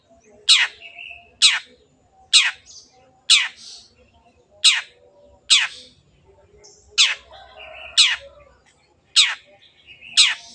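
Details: Long-tailed shrike singing vigorously, used as a lure recording to get sluggish birds to sing: harsh, scratchy downward-sweeping notes repeated roughly once a second, with softer buzzy fragments and faint chatter between them.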